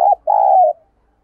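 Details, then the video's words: Captive decoy spotted dove giving a vigorous urging coo, used to provoke wild doves; a short mellow note followed by a longer, smooth, slightly falling coo, in a quiet setting. "Tiếng Thúc Chim CU Gáy Sung - Kích Bổi Nhanh Nổi / Chim Cu Mồi"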